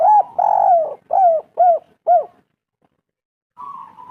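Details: Local spotted dove singing a lure phrase used to prompt other doves: five loud rounded coos in quick succession, the second long and gently falling, then silence and a soft steady higher tone.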